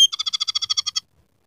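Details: Scaly-breasted munia singing a rough canary-style fill: a sharp opening whistle followed by a rapid, harsh rattle of a dozen evenly spaced pulses lasting about one second.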